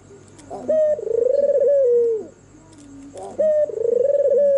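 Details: Albino white turtle dove with red eyes cooing at night, its sweet call said to draw reluctant doves to sing; two long, slightly trembling coos, each opening with a sharp upward note, over a quiet constant hum.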